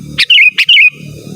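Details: Sooty-headed bulbul song intended as a rival-calling lure and tutor recording; a quick pair of bubbly, wavering whistled notes each led by a sharp click, with low rumbling background noise.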